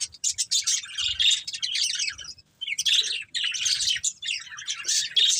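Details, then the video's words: Pet budgerigars, a breeding pair, chattering in two long bursts of rapid scratchy warbles and chirps separated by a short silence. "Colourful Budgies Chirping Sounds"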